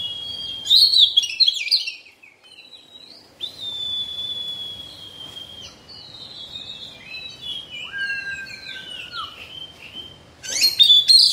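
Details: Oriental magpie-robin in moult: long pure whistled notes held steady, a lower drawn-out whistle that falls at its end, and bursts of sharp chirpy trills at the start and close, with quiet pauses in between.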